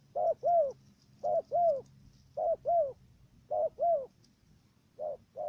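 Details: A wild-caught dove at a bird trap in Cà Mau, Vietnam, coos in soft, low paired notes, a stuttering double coo repeated about once a second, over a faint low background hum.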